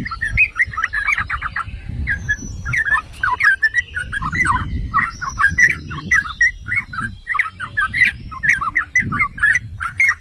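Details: Yellow-vented bulbul song used to provoke other bulbuls into singing: lively, gurgling bursts of warbled notes in uneven phrases over steady low background rumble.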